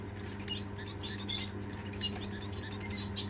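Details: Pet society finches (Lonchura striata domestica) indoors on 22 March 2022, settling to sleep: soft, short, high chirps scattered irregularly, several to a second at times, over a steady low indoor hum.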